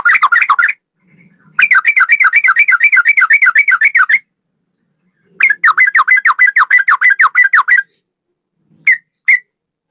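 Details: Sooty-headed bulbul, cucak rowo style training master: long runs of fast rolling trills, wavering whistled notes repeated several times a second for two to three seconds each, separated by pauses, closing with two single notes.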